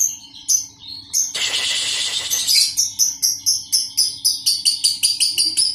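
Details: Skittish Oriental magpie-robins kept together in a colony to calm them and get them used to bustle. A few whistled notes, then a loud harsh rasping burst, then bright chips repeated about three times a second.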